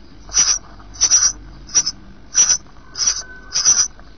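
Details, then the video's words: Three eight-day-old sparrow nestlings, recorded in 2012 through a nest webcam, give rapid high, sibilant bursts, roughly six in four seconds, some doubled, over a faint low hum. "Gorriones, octavo dia"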